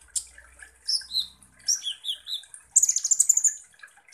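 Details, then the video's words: Kolibri ninja sunbird song serving as a lure to provoke other birds. Scattered high chirps and slurred notes lead into a fast, buzzy trill near the end. "KONIN Langsung EMOSI dan NGOBRA dengan PANCINGAN kolibri ninja GACOR ini"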